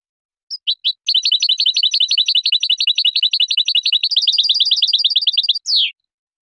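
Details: European goldfinch song with a few opening chirps leading into a long, rapid, buzzy-tinkling trill of repeated high notes. The trill shifts slightly higher partway through and ends with a sweeping, descending note, recorded cleanly.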